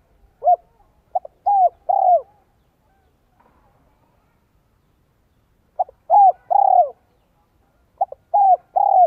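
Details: Spotted dove cooing in the 'giọng son 1 cốt lỡ' voice style, used as a decoy to draw wild doves. Two phrases about five seconds apart, each a short clipped note followed by two or three mellow, downslurred coos, with silence between.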